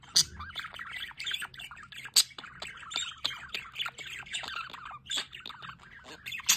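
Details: A busy group of budgerigars at a solar water fountain, giving continuous overlapping warbles and chirps with sharp squawks at the start, middle and end.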